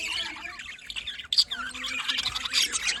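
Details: Budgerigars calling in the morning on 5 November 2023 in Larkana, Sindh: busy overlapping chirps, warbles and squawks with a sharp louder squawk midway, the flock's chatter running without pause.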